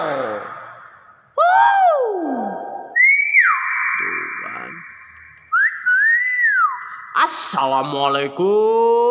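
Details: A pet common hill myna gives loud, slurred whistles and harsh, speech-like phrases imitating human voices, including mimicry of the Islamic greeting "Assalamualaikum" in response to prompting from its owner.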